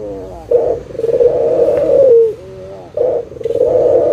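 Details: Local Barbary dove calling, a lure to get non-singing doves cooing again; a short note, then a long trilled coo sliding down at its end, and a second phrase beginning.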